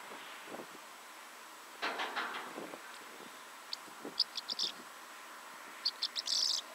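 Corn bunting songs twice: a few high, stuttering ticks speeding into a brief, dry jangle like shaken keys. An earlier broad rushing noise sounds like passing traffic.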